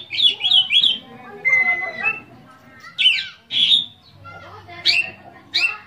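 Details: Oriental magpie-robin in full varied song, packed with mimicked phrases, kept as a cage bird and played to prompt other magpie-robins to sing: bright slurred whistles and rising notes in quick bursts, with softer chattering phrases between.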